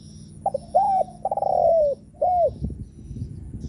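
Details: Spotted dove cooing to provoke others: a few stuttering short notes lead into arched, mellow coos and one long falling coo, with light background noise.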